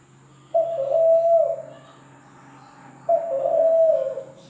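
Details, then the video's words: Two soft coos from a zebra dove, about two and a half seconds apart, each a brief sharp onset followed by a sustained low hooting tone that drops off gently. "SUARA PERKUTUT LAINYA"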